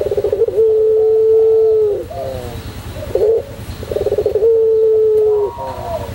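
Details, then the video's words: Barbary dove, white pelung variety, performing its long coo as a master recording for training other birds. Two full phrases sound, each a rapid pulsing roll followed by a long, even, low note, with soft trailing coos between them. "masteran puter pelung putih manggung"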